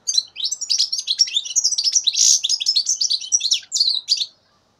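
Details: A 2015 juvenile European goldfinch, three months old, delivers a continuous, rapid, tinkling twitter of high chirps and buzzy notes for about four seconds before stopping.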